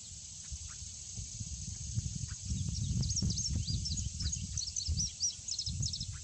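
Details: Male Indigo Bunting singing a run of high, sharp paired notes, quick rising and falling slurs delivered in rapid succession over about three seconds, against a steady high insect drone and low rumbling background noise.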